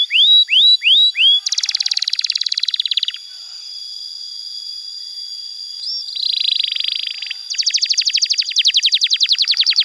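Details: Canary masteran song for teaching young canaries: three curved whistled notes, then a dense buzzy trill, a pause, and more rapid rattling trills. A steady high tone runs underneath.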